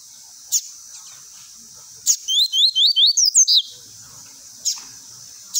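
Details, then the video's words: A Lined seedeater gives a quick run of about eight high, rising whistled notes, ending in a slurred flourish, with sharp clicks or knocks before and after. "COLEIRO GOLAO TUI TUI PRA ENCARTE"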